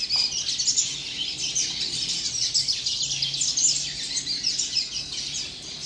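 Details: Double-collared seedeater youngster delivering a busy, unbroken chatter of thin, high chirps and quick scratchy trills, with brief louder bursts throughout; a faint low hum sits underneath.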